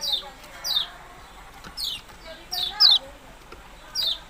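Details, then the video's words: Repeated thin, high downslurred calls of a yellow-bellied prinia, some given as close pairs, over a quiet background of faint chirping. "burung kecial kuning ciak ciak"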